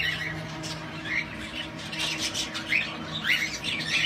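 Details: Cockatiel in a photography cage with rotating perch and LED light, during a photo shoot for a competition, gives short, harsh squawks and chirps against a steady background hum.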